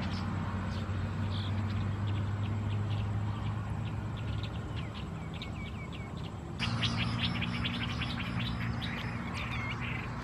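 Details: Red-wattled Lapwing, subspecies atronuchalis, at Ban Thai Talat, Khao Yoi, Phetchaburi, Thailand, on 28 August 2020: a fast run of short sharp notes, which grow louder and denser partway through, over a steady low rumble of background noise.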